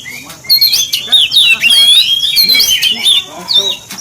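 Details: Loud Oriental magpie-robin song played to provoke other magpie-robins, fast tumbling whistled notes and buzzy squawks in quick succession, strong and continuous from the half-second mark.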